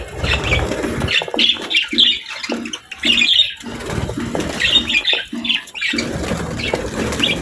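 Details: Pet budgies chirping while eating healthy food, short bright chirps in clusters with brief pauses, over low rumbling and fluttering wing sounds.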